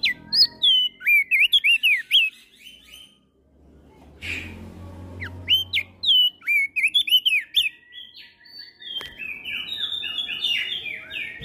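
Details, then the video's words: Javan grey-throated white-eye in busy ngeplong song with other birds answering. Rapid loud swooping whistles come in repeated bursts, interrupted by a quiet stretch, and close with a long series of buzzy, stepping notes. "Masteran Opior Jambul gacor Ngeplong Saling Bersahutan Dengan Burung Lain"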